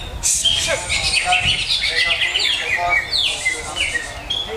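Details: Greater green leafbird pouring out a varied song of chirps, descending sweeps and short whistles, opening with a sharp harsh note and ending in clear high whistled phrases.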